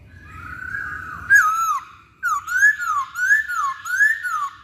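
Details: Masked laughingthrush singing to lure other birds into song: a steady run of clear whistled notes, each rising then dipping, repeated about every half second after a short opening phrase.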